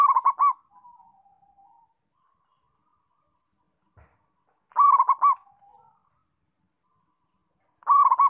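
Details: A local zebra dove in energetic song gives three loud, quick, rippling coo phrases at irregular gaps of three to four seconds. Faint trailing trills follow the first two phrases, with one soft knock in the silence.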